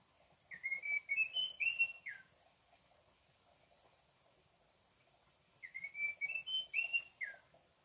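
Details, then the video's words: Munchique Wood-Wren (Henicorhina negreti), a Colombian endemic, at Alto La Eme, gives two clear whistled phrases of rising and falling notes, each about a second and a half long, separated by a pause of several seconds. "Espectacular melodía del Cucarachero de Munchique"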